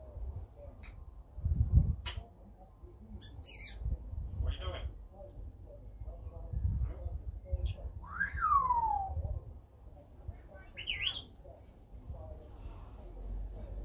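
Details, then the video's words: African grey parrot, a talking bird, recorded 20 June 2020: a few sharp high whistles, short chirps, and a loud descending swooping squawk near the middle, then a rising whistled note, over a low background rumble. "AFRICAN GRAY OUT TALKING BIRD"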